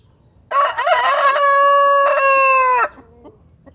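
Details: White rooster crowing once: a loud, harmonic cock-a-doodle-doo lasting over two seconds, opening with a few broken notes and then holding a long, steady, level tone before cutting off abruptly, followed by quiet clucks.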